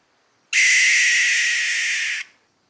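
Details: Barn owl giving a single harsh, hissing screech lasting nearly two seconds, rasping and steady before cutting off abruptly; given as a mating or alarm call.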